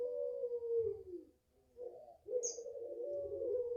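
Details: Five-month-old puter pelung Barbary dove from a home garden holds a long falling coo, pauses, then begins another steady sustained coo. A single high chirp from another bird is heard.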